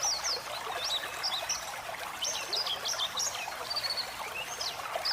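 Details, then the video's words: White-eye training song laid over running water: high, thin chirps and short twittering phrases rise above a steady trickling stream. "masteran burung pleci gacor ngeriwik ngeplong"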